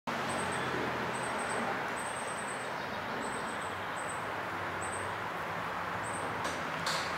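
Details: A young Brown Thrasher being fed by its mother gives thin, very high-pitched begging notes in short bursts, a few each second, over background rumble with distant neighbours hammering.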